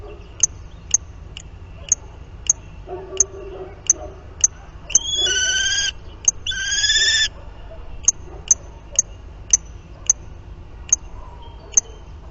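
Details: Common kestrel copulating at the nest on 30 March 2019; steady clicking ticks roughly twice a second, broken by two long harsh whining calls mid-way, then the ticking resumes.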